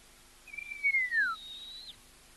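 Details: Verreaux's eagle-owl in Kenya, an adult with a fluffy youngster nearby, gives a single high, thin whistle, held briefly then sliding downward over about a second, against a quiet background.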